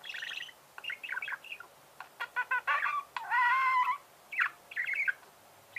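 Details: Pet budgerigar chirping indoors: bursts of harmonic chatter and squeaky notes between 1 and 4k, with one sustained nasal warble near the middle and short quiet gaps.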